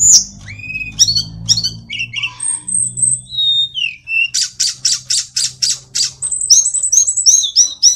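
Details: Tledekan or sulingan, a little pied flycatcher, in vigorous song: mixed chips and slurred whistles, a thin level note, then a steady series of rapid buzzy notes and closing high twitters.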